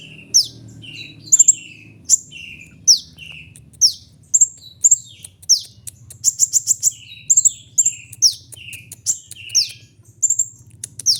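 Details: A long, lively phrase from the kolibri ninja sunbird: high sharp chirps, downslurred whistles and lower buzzy notes, with dense rattling runs of rapid chips in the middle.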